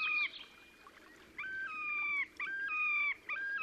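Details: Terek sandpiper display song, Oka Nature Reserve on the Pra, Russia, 30 April 2019: after a faint opening note and a short pause come several ringing, stepped whistles, each held then dropping briefly, in quick succession.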